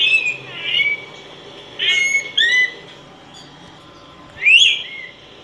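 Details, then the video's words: Singing Araripe manakin, a critically endangered bird of Brazil. Two whistled notes open the clip. A pair of rising slurred whistles follows about a second later, then a louder upward-sweeping whistle near the end. "Saltarín De Araripe Cantando"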